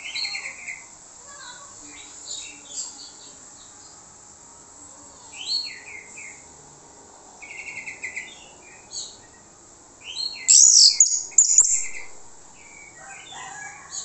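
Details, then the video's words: Orange-headed thrush song offered as a lure so others answer: scattered short whistled and slurred phrases at moderate volume, then a louder stretch of harsh, scratchy notes near the end. "PANCINGAN ANIS MERAH MANTAP YANG LAIN LANGSUNG NYAUT"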